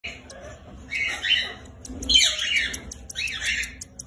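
Cockatiel giving harsh, raspy squawking calls in three bursts, each under a second long.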